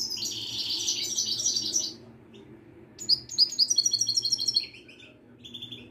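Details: Moroccan European goldfinch singing: a fast, high, tinkling twitter, then a quick run of bright repeated notes, over a low steady hum.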